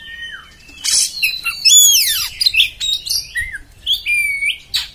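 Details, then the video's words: Varied harsh beset song from an Oriental magpie-robin: buzzy scratches, steep falling whistle slides and clear level whistled notes in quick succession. "kacer beset beset kasar bikin emosih"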